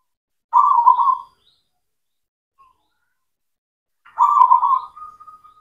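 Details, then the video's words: Local zebra dove, a black cemani bird, singing actively, used as a lure to restart silent doves: two rapid, rolling cooing phrases about three seconds apart, the second ending in a drawn-out steady note, in a quiet setting. "PANCINGAN PERKUTUT LOKAL, PERKUTUT CEMANI GACOR, AMPUH UNTUK MASTERAN PERKUTUT BISU"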